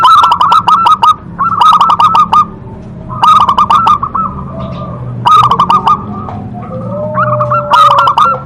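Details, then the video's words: Local zebra dove singing strongly, with loud stuttering coo phrases of rapid notes repeated every second or two and faint low coos between them. "perkutut lokal gacor Suara Besar Suara Ampuh bikin Manggung"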